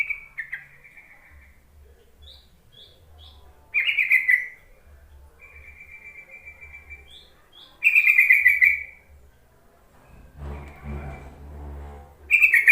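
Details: Yellow-vented bulbul call played to lure reluctant, quiet bulbuls into singing: three loud bubbly chattering bursts roughly every four seconds, over a steady high thin tone with brief faint chirps and a low hum.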